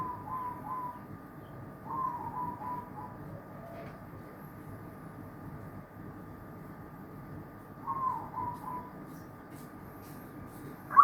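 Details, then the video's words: Zebra dove chorus with several birds: short runs of soft cooing notes at about two-second and six-second gaps, fairly faint above a steady electrical hum and low background rumble, ending with a sharp click. "Paduan suara perkutut baba"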